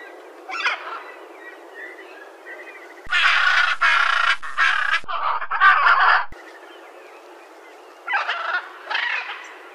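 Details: Blue-and-yellow macaw giving loud, harsh, raspy squawks in a dense run of bursts, after softer scattered calls at the start and before two shorter squawks near the end, over steady background hiss.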